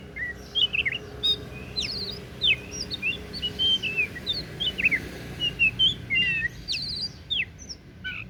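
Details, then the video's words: Kacer daput, the oriental magpie-robin, in full varied song: rapid sequences of sharp whistles, sweeping upslurs and downslurs and quick trills, delivered in rhythmic bursts with brief gaps, over a soft low background rumble. "KICAUAN KACER DAPUT MEMPESONA"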